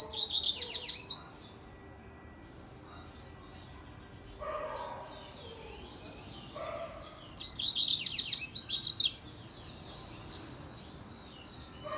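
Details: Coleiro, the double-collared seedeater, delivering rapid Grego-style phrases: two loud bursts of fast, sharp, high chattering notes, roughly seven seconds apart, with soft lower warbles and quiet background in between.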